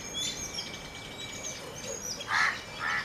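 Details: Grey francolin (Francolinus pondicerianus) gives two loud, harsh call notes about half a second apart near the end, over faint high chirps from other birds and a thin steady whine.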